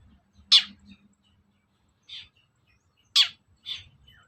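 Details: Long-tailed shrike call meant to provoke another shrike into responding. Two pairs of notes are heard, each a loud harsh downward rasp followed by a softer one, over soft low background noise.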